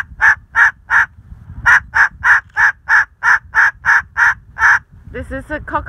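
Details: A pet cockatoo barks like a dog at a dog, about three harsh woofs a second: a run of three, a pause, then ten more, with a woman's voice at the end.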